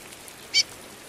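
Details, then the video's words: A female Chestnut-bellied Seed-Finch piping and calling in the rain gives one brief, high, sharp chip against a steady hiss of falling rain. "Piado apronta curió rápido!"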